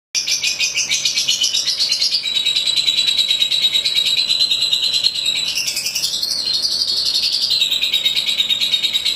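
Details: Lovebird in a championship-style singing performance: a long, unbroken, rapid high-pitched chattering trill of fast repeated notes, wavering up and down in pitch, dense and continuous throughout.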